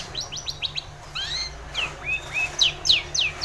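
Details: Long-tailed shrike singing, a recording meant to prompt a silent shrike to sing: rapid repeated slurred whistles and falling notes high in pitch, about three and a half per second, with a steady low hum underneath.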